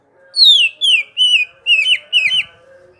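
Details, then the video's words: Greater green leafbird in continuous ngerol singing: five clear whistled notes, each slurring downward, spaced about half a second apart, with soft low humming underneath. "Suara Burung Cuc4k Ijo Ngerol Dur4si P4nj4ng"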